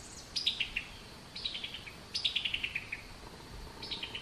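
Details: Summer tanager (Piranga rubra) giving its distinctive chuckling call note: quick, staccato runs of five to seven clipped notes stepping downward, repeated about every second, over faint background hiss.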